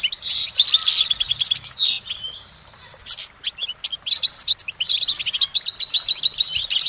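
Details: A goldfinch in nature sings bursts of fast, high twitters and sharp chips, breaks off briefly around the middle, then resumes its bright, jumbled warbling.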